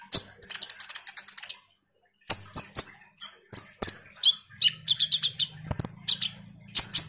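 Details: Common iora in vigorous chattering song, a lure to draw responses from kolibri ninja birds: a quick twittering burst, a pause, then scattered high chips and slurred whistles over a low buzzing hum.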